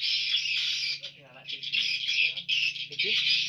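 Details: Swiftlets massed in the nesting room of a swiftlet house produce a thick, shrill twittering that rises and drops in surges, over a low electrical hum and a few soft murmurs of a person.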